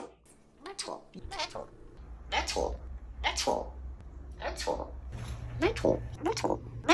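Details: Pet African grey parrot repeatedly saying the word "metal" in short voiced bursts, answering a person who asks what something is made of; about eight quick utterances with human speech mixed in, indoors.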